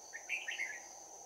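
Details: Bell-voiced Red-whiskered bulbul used as a trapping decoy, delivering fighting song, 11 January 2019. One brief, quick run of three or four chirpy whistled notes, with a steady high-pitched insect drone behind.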